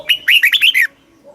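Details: Single song phrase of a caged red-whiskered bulbul, Thailand, southern master-song style meant for teaching young birds: five quick, liquid, slurred notes rising then falling, loud and clear, followed by silence.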